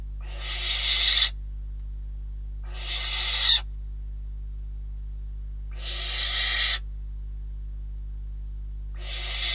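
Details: Barn owls at a nest in Catalonia on 12 December 2021, filmed by a live nest camera as prey is delivered, first a bird and then a rodent: four harsh, rasping hiss-screeches of about a second each, evenly spaced, over a constant low electrical hum.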